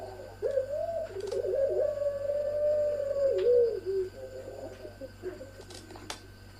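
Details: Ringneck doves of the long-cooing pelung style in a parade of several birds, one of them female: a drawn-out, wavering mid-pitched coo holding steady for about three seconds, then breaking into shorter dipping notes, with a steady low hum beneath.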